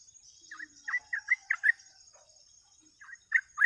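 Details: Sooty-headed bulbul singing energetically as a bird-catching lure, giving short bubbly, chirping notes in quick clusters with brief pauses between groups, over a faint steady high hiss.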